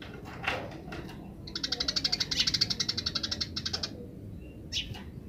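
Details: Wild house sparrows answer a played song: a steady train of sharp, evenly spaced chirps lasting over two seconds, framed by isolated chirps and faint background murmur.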